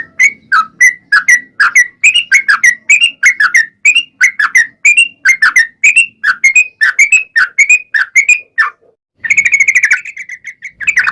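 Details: Long rolling yellow-vented bulbul song meant to draw other bulbuls into singing: rapid stream of liquid chattering notes rising and falling, then a dense, bright trilling burst near the end.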